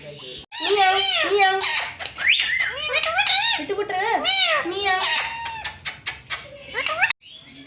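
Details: Indian green ringneck parakeets, a family kept together, talking in front of a mirror; a dense run of rapid, bending, squeaky speech-like phrases and chatter, with short clipped breaks near the start and end.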